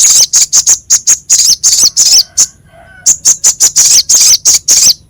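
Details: Harsh rough song of a Crescent-chested babbler, used as masteran to train songbirds: a fast chatter of buzzy rasping bursts, a brief pause, then another rapid string of grating notes.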